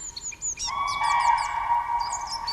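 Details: A male and female Common Crane pair duet at their nest in the Swedish taiga, loud sustained trumpeting ringing steadily for about two seconds with natural echo, while small birds chirp and twitter high above.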